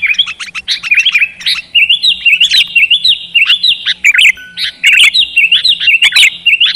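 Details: Kutilang, the sooty-headed bulbul, singing in a therapy recording for lazy birds; a steady run of short looping whistled notes, about three per second, with sharp clicks scattered through.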